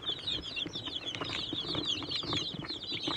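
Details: Catskill Homesteader, Swedish Flower Hen and Bielefelder chicks in an indoor brooder, happily eating and drinking: a dense, continuous chorus of high, overlapping cheeping peeps with soft pecking and shuffling sounds.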